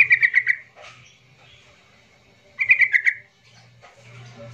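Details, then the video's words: Yellow-vented bulbul song meant to set off silent birds: two brief bursts of five or six liquid, bubbling notes, roughly two and a half seconds apart, over a faint low hum. "pancingan trucukan emosi ini"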